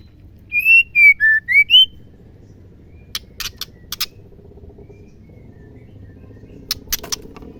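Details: Female white-rumped shama calling to excite males into song: five pure whistles falling then rising in pitch, followed by silence and scattered sharp clicks.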